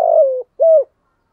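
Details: Tail end of a decoy spotted dove's 'giọng thổ' song meant to lure wild birds: a long, gently falling burbled coo followed by a single rounded, level closing note.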